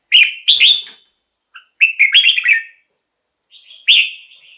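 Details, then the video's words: Red-whiskered bulbul in a cage, song suited to luring or exciting other birds: crisp, cheerful whistled notes in short groups, ending with a clear sustained whistle. "เสียงนกกรงหัวจุก สำหรับต่อ หรือ เปิดให้นกคึก เสียงเพราะๆ"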